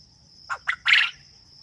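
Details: One phrase from a farm quail: two quick short notes, then a longer, rasping, broad note, over a constant high thin whine.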